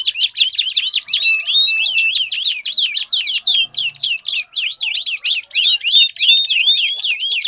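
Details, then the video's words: Energetic canary song for coaxing a quiet canary back into voice: continuous rapid chattering of sharp swooping notes, high and tightly packed, with no pauses. "Pancingan Ampuh Kenari Gacor Panjang, 4 Suara Burung Kenari Ampuh Untuk Pancingan Kenari Macet Bunyi"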